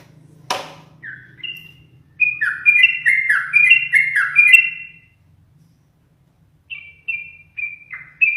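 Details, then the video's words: Yellow-vented bulbul kept as a pet and frequently teased by its owner: a sharp click, then a run of rich, gurgling whistled phrases, a pause, and a few more short fluty notes. "TRUCUKAN sering di goda menjadikan burung semakin gacor dan bermental baja"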